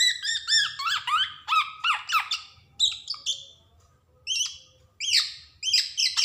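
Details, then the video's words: Javan black-naped oriole, a frequent singer used as a tutor recording for untrained birds: rapid series of harsh, nasal, down-slurred notes in two bursts separated by a brief lull, with faint low hum. "SUARA PANCINGAN KEPODANG JAWA | kicauan kepoxang emas gacor"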